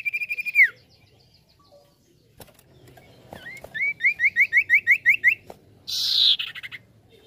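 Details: Lure-call song of a common iora: a steady whistle ending in a downward slide, then a fast string of about ten short rising whistled notes, and a harsh burst near the end.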